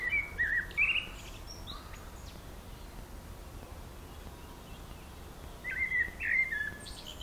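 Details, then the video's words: A single wild bird on a long singing session, running through its repertoire beside Zmajčkova pot, Slovenske Konjice, Slovenia: a quick run of bright whistled phrases with rising and falling notes, a pause of steady background hiss, then more phrases near the end. "ptice pojejo / birds singing"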